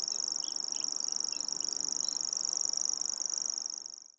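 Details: Common grasshopper warbler of the nominate subspecies, recorded in Anderlecht, Belgium, in April: a continuous, very high, dry insect-like reel held steadily for about four seconds before fading. Brief fainter chirping notes from other birds sound underneath.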